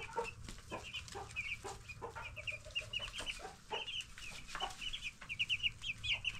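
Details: Ten-day-old broiler chicks being raised in a brooder; many short, high peeps and chirps tumble over one another almost continuously, with scattered clattering and rustling knocks and a steady low hum underneath.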